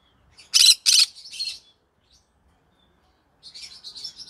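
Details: Two loud, harsh squawks from a green-cheeked conure in the evening, then a rasping call, a few seconds of quiet, and a closing run of high buzzy chatter.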